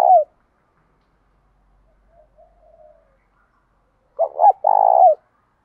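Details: Spotted dove in the thổ pha and hạp bổi call styles. The clip opens with a clipped coo, then a faint soft murmur, then a full phrase: stuttered short notes and a long vibrating coo ending in a falling slur.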